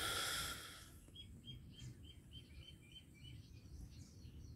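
A common myna gives a quick run of short, bright chirps, several per second, after a loud burst of rushing noise at the start.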